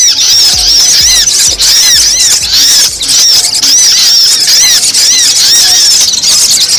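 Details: Sogon lure recording used to draw wild birds down quickly: loud, high, thin chirped notes repeated in rapid runs, with soft low thumps beating underneath about twice a second.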